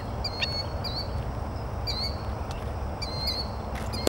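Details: Four Killdeer chicks calling: thin, high peeping notes, some drawn out and slightly descending, repeated roughly every second, with brief clicks, over steady low rumbling background noise.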